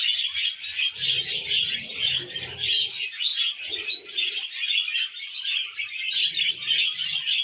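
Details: Budgerigars kept as pets, eating wheat germ, with unbroken high, rapid chatter and chirping throughout and intermittent soft, lower murmuring sounds beneath.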